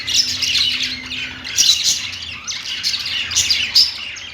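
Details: Budgies chirping on a perch with a fast warbling mix of high whistles, squeaks and grating notes, several overlapping birds, continuous.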